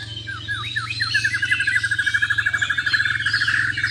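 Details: Bornean white-rumped shama of the Muara Wahau type, contest singing with a tembakan-style burst: quick downslurred whistles run straight into a rapid, evenly pulsed trill to the end, with a low steady hum.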